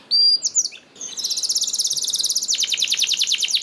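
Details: Canary song used to set other canaries singing: a few high flicked notes, then a long, fast, continuous trill of tightly repeated notes that ends in descending clicks.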